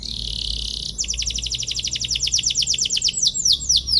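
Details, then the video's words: Canary in full gacor song, played to make rival canaries respond and sing: a steady high hiss gives way to a rapid run of evenly repeated downward-sweeping chirps, speeding up toward the end. "KENARI GACOR PANJANG CUIT CUIT PANCING EMOSI LAWAN BIKIN NYAUT DAN GACOR |° CANARY SINGING"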